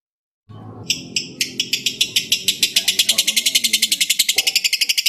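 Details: Lovebird kept for singing contests, trained by mastering toward a long gacor ngekek: after a voice speaks, a rapid, high, buzzy chatter of pulses starts and speeds up to about eight per second, continuing steadily.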